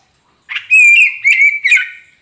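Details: Single loud phrase from a kacer poci magpie robin, used to trigger singing in a caged bird that has stopped: a harsh chip, then long slurred whistles broken into three linked sections, fading at the end.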